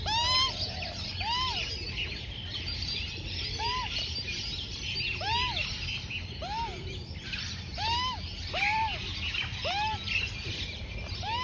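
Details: A juvenile female Australian magpie, about 4–5 months old, repeats a rising-then-falling, slightly nasal begging note about once a second while being fed by her mother, over higher chattering from other birds.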